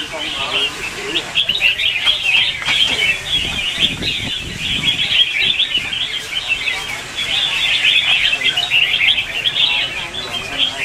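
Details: Red-whiskered bulbuls singing against each other in a morning practice session used for training caged birds. Overlapping quick chirpy phrases form a steady chorus, thinning slightly near the fourth second before swelling again.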